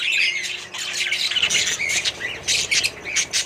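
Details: Colony budgerigars sharing space with other birds; harsh squawks and rapid chirps overlap, growing choppier in the second half as sharp bursts come and go.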